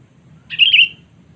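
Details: One brisk, twittering warble from a sooty-headed bulbul, played as a lure to summon rivals. The phrase wavers up and down, then fades, with faint low hum behind.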